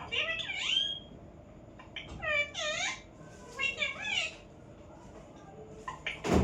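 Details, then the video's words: Parrot calling in short harmonic phrases, wavering and arched, in three bursts separated by pauses, with a sharp knock at the very end. "parrot sound"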